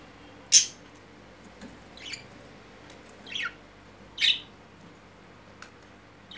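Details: Pet budgerigars mating, then making courtship movements. Brief harsh chirps and squawks come every second or two, four of them louder than the rest, over a constant low electrical hum.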